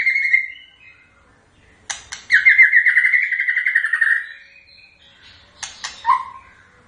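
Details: White-rumped shama singing a varied phrase: a brief whistled note, then a long rapid trill of slurred notes sliding downward, ending with a few sharp clicks and a short low whistle.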